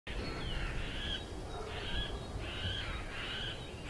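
A middle spotted woodpecker gives four drawn-out, nasal, slightly falling notes, each lasting under a second, over a steady low rumble.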